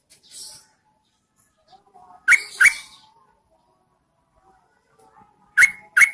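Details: Female yellow-vented bulbul calling to attract males during the rainy season: two loud paired, liquid notes, then a pause and another pair, with a faint high hiss at the start.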